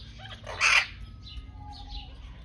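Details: Chestnut-fronted macaw recorded in Germany: a single short, loud, grating squawk near the start, followed by quieter thin whistles and faint high twittering in the background.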